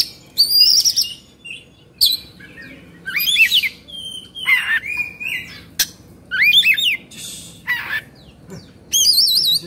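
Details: Oriental magpie-robin from Indonesia singing in an agitated 'kongslet' state, beak open and tail spread: loud, varied bursts of whistled slurs, wavering trills and sharp chirps, separated by short pauses, over a quiet low hum.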